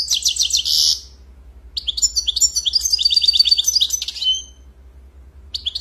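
A European goldfinch sings high, tinkling twitters and quick buzzy trills in bursts separated by short pauses, over a faint low hum.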